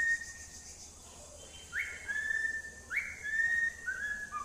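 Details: Pet cockatiel whistling: clear, pure tones near one steady pitch, twice sweeping sharply upward into a held note, then sliding onto a slightly lower sustained tone near the end; faint steady hiss in the background.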